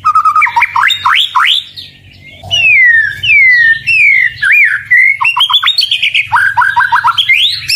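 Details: White-rumped shama (murai batu) song: a steady whistle opens into fast upswept notes, then long sweeping slurred whistles after a short pause, ending in rapid repeated chipping notes and a final rising whistle.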